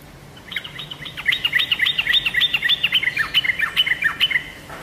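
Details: Yellow-vented bulbul lure sound for drawing answers from kept birds: after a quiet start, a fast, lively run of chattering, bubbling notes, several per second, continuing steadily before ending abruptly.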